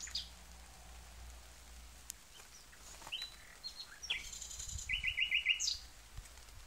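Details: Nightingale singing scattered high chirps and whistles, building to a quick, bright, rattling trill of about six notes, with faint low rumble beneath.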